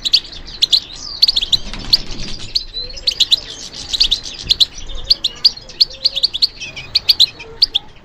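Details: Responding to stimulation, a European goldfinch sings a fast, chattering stream of high, bright chirps and twittered phrases, bunched in short bursts across the whole recording, with faint background noise.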